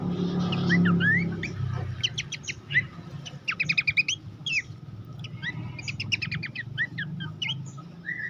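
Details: Master recording of Horsfield's babbler song for training contest birds: a low rumble at first, then clusters of rapid stacked chips and short whistles repeated in quick bursts.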